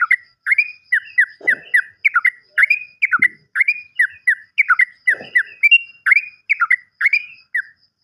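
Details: Sooty-headed bulbul on a lure track meant to set quiet birds singing: an unbroken chain of quick, downslurred chirps, two or three per burst, with occasional soft low thumps behind.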